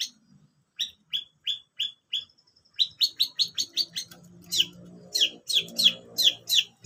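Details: Long-tailed shrike in lively song: a series of short high whistled notes about every third of a second, then a faster jumble of high sharp notes and downslurred chips, with faint low background sound.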